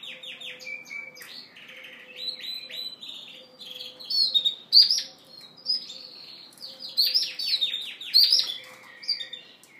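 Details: Yorkshire canary cock courting a hen with song and dance: fast rattling trills, sweeping whistles and sharp chips in loud bursts separated by quieter twittering, over a faint steady low hum.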